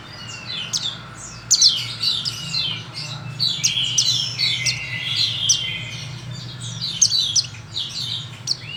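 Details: Pleci, a white-eye from Pacitan, giving a busy, overlapping jumble of high chirps, squeaks and short trills with sharp clicks, continuous throughout, over steady low hum.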